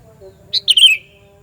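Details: Sooty-headed bulbul giving a loud call used to lure other bulbuls: a quick burst of three or four bright chirped notes, the last slurring downward, over a faint steady low hum.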